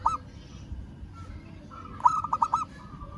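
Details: Zebra dove, local bird, calling to a rival. One short coo opens, then after a pause a fast burst of five bubbling coos follows, all over a low background rumble.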